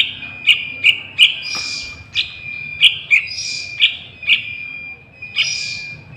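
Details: Juvenile sooty-headed bulbul, recorded as a lure for wild bulbuls, uttering crisp short chirps in small clusters and occasional longer harsh, wheezy hisses, with an unbroken high-pitched hum throughout.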